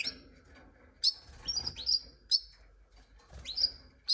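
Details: Canary giving sharp, high upward-sweeping chirps, singly and in quick pairs, spaced irregularly about every half second to second, with faint rustling between notes.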